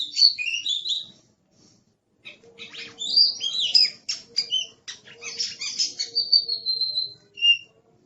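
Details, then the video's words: Aggressive Oriental magpie-robin singing choppy whistled phrases, going quiet for about a second, then resuming with rapid scratchy notes and a drawn-out, slightly falling high whistle. "Suara Master Burung Kacer Galak"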